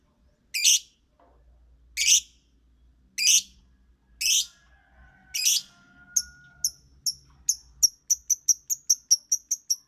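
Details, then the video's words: Lovebird singing: loud rasping screeches about once a second, then a quickening run of short, bright, high chirps that come faster toward the end. "suara Lovebird bernyanyi"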